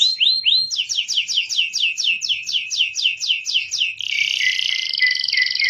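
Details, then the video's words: Canary song in the constant, high-and-low style, used as a tutor song for young canaries learning to sing and for canaries that stopped singing: rapid downward-sweeping notes about four per second for four seconds, then a buzzy high trill. "Masteran kenari gacor atas bawah. Pancingan kenari paud belajar bunyi, terapi kenari macet"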